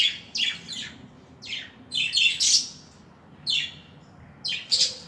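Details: Budgerigars kept indoors give a run of scratchy, high chirps and squawks in quick clusters, about one cluster every second, with a faint low hum in the background.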